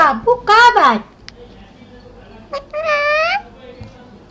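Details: Parrot talking in Urdu/Hindi: a loud falling, squawky word followed after a pause by a drawn-out, nasal, vowel-like phrase with clear harmonics.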